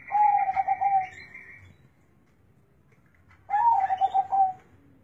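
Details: Zebra dove with a deep, bass voice: two cooing phrases, each a low purring coo with rapid rolling notes lasting about a second and a half, separated by a pause, over faint background hum.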